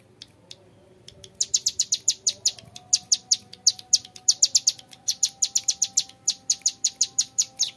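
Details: Young mountain prinia with long, clear ngebren song: after a quiet start, steady rapid trains of loud high sharp notes about six per second, with a faint steady tone beneath.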